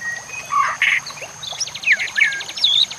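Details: A White-rumped shama on a recording used to train other shamas, with nature sounds and water. It gives short squeaky whistles and a buzzy note, then a fast even rattle of high ticks, with a constant thin high tone.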